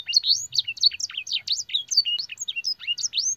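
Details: Master canary song containing blackthroat and sanger phrasing, rapid clear notes sweeping up and down at a high pitch, each short syllable quickly followed by the next in a lively chatter.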